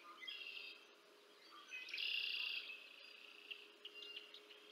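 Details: At the Decorah North nest on 30 March 2024, a bald eagle feeds two chicks; a few high peeps lead into a drawn-out shrill whistle that fades to thin piping notes.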